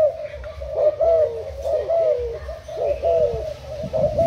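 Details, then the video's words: Thai-type decoy spotted dove recorded on 10 April 2018, giving soft, hollow coos about once per second, each note slightly rising then falling, over a low background hum. "Cu gáy mồi úp thailand"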